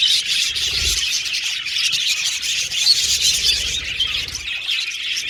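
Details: Pet Australian budgies singing and chirping as a group: a dense, unbroken wash of high twittering chatter and warbles with brief sharp whistled notes, steady throughout.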